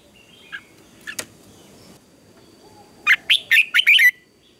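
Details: Morning contest singing of a red-whiskered bulbul: a few faint chirps early, then a loud run of five quick warbled notes ending in a downward slur, over low hiss.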